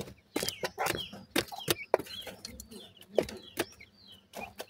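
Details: Several grey francolin chicks cheeping continuously with thin, upslurred and downslurred peeps among loud knocking and scratching clicks, over a faint constant low hum.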